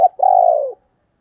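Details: Hen spotted dove, thổ đồng voice, used to attract wild males: a brief clipped note, then one sustained, steady low coo that sags slightly before stopping, with quiet afterwards.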